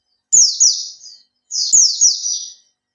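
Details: Captive Oriental white-eye singing lure song: two quick, shrill phrases of cascading downward-slurred chirps, each about a second long, with a short silence between.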